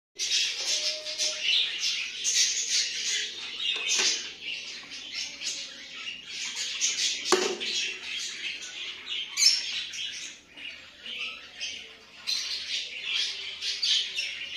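Young cockatiels give a steady stream of harsh, raspy, hissing calls in rapid bursts.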